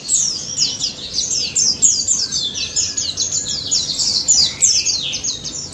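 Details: Vigorous song of wild daput white-eyes, played to coax silent white-eyes: a fast, seamless cascade of very high slurred chirps, several notes each second, evenly dense throughout.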